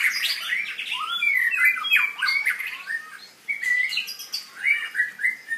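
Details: Newly acquired young white-rumped shama singing a rambling, scratchy warble of mixed harsh and whistled notes, with short pauses between bursts.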